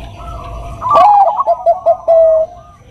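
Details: Bangkok-type zebra dove, a cage bird, used as a training and lure song. Brisk staccato cooing notes run together, then end in one sustained, steady coo.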